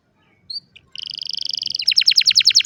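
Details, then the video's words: Singing canary recorded on a cellphone: two brief chirps, then a fast buzzy rolling trill that shifts into a slower, louder pulsed rattle. "الكناري بالتأكيد ستحب غناء الكناري الجميل هذا Canary Singing"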